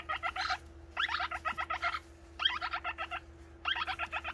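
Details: Pet parrot chick, youngest of the flock, keeps begging for feed despite a full crop: rhythmic series of scratchy, pulsing chatter notes, grouped in four bursts about a second apart, over a faint constant electrical hum.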